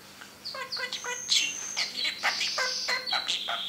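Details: A pet parrot talking in its cage: harmonic, speech-like syllables mixed with sharp whistles and a long high whistled note, busy and chattering throughout.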